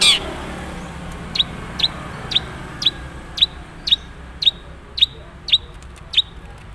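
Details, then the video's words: Long-tailed shrike (cendet) from Madura giving its natural voice with few borrowed notes: a burst of noise, then about a dozen short, sharp high ticks spaced about half a second apart. "suara asli cendet madura"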